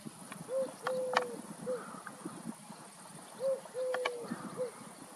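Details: Streptopelia dove near Walshofen, between Schrobenhausen and Aichach, giving two soft three-note cooing phrases, short-long-short, with the long middle note held steady; faint rural background noise and a few sharp clicks.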